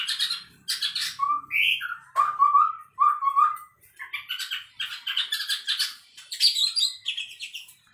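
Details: Song of a chestnut-rumped babbler, a tutor bird that can sound like a white-rumped shama: varied whistles, slurred notes and bright chattering bursts in quick succession, with near silence between phrases.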